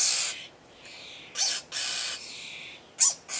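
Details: At feeding time, starling chicks beg with loud, harsh, wheezy rasps, some of them short sharp notes and others drawn out nearly a second, packed closely together.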